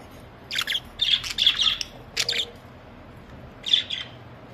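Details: Pet budgerigars calling on a very hot summer day, 23 May 2023, said to be 50 degrees: a busy run of harsh, chattering squawks and chirps in quick clusters, pausing, then one more short squawking burst; faint hum behind.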